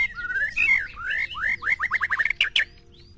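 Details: White-rumped shama, a Medan short-tailed bird set against a 'balak 6' bird: swooping whistled phrases break into a rapid run of short repeated notes, then fade to a thin rising whistle.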